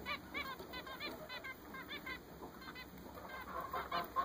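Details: Several newly purchased zebra finches giving rapid, short nasal honking calls, stacked and repeated several times a second, with steady high electrical whine throughout.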